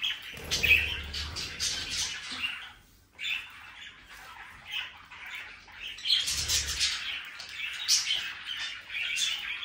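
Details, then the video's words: A group of budgerigars warbles and chirps in busy overlapping bursts, with a short lull near the middle before the scratchy chatter builds again. "Sonidos de periquitos Australianos"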